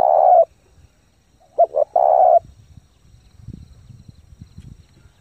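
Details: Spotted dove lure bird cooing rapidly to stir up and train new doves. A long coo opens, then a phrase of two short clipped notes and a drawn-out hollow coo, followed by low rustling and knocking.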